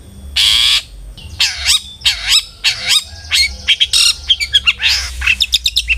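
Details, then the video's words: Long-tailed shrike song played as a lure to get other shrikes singing: a varied, loud run of harsh rasping bursts, looping slurred whistles and rapid chattering notes over a faint low hum. "PANCINGAN CENDET AGAR RAJIN BUNYI"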